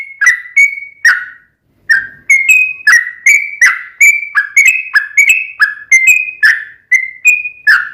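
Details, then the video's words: Sooty-headed bulbul singing gacor as bait for a caged bird to respond: a steady run of quick, sliding whistled chirps at varied pitches, broken by one brief pause early on. "KICAU SUARA trucukan gacor ROPEL PANJANG pancingan trucukan agar bunyi"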